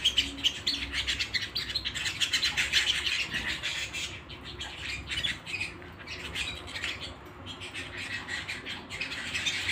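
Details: Canary song at home: busy, high chirping and quick trilled notes, loudest in the first few seconds, then thinning briefly before picking up again, over a faint low hum.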